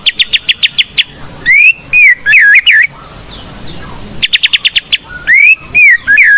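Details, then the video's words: Singing blorok white-rumped shama used as a training lure, its song packed with mimicry: bursts of fast clipped notes alternate with rising and wavering whistles, repeated twice with a short quiet gap between. "Murai Blorok Gacor Bongkar isian Pancingan Burung Murai Batu Bahan"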